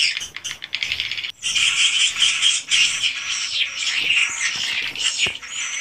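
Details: Many swiftlets inside a swiftlet house, raw recording: a scratchy, rapid chatter that stops briefly, then returns louder as a thick, sustained shrill twittering with faint thin whistles above.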